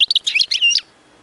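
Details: European goldfinch song used to stimulate other goldfinches to sing: a brief burst of high tinkling and buzzy notes lasting under a second, then quiet.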